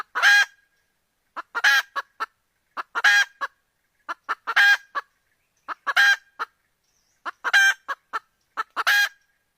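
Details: Chicken giving loud nasal, honk-like calls in clusters of two to four notes, each cluster roughly a second apart, repeated steadily throughout with no other noticeable sounds.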